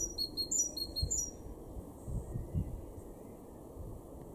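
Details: A great tit in a garden in Weener, East Frisia, far northwest Germany, in April 2022, gives a quick run of high, thin two-note phrases alternating up and down, then falls silent against a steady low rumble of wind or distant traffic.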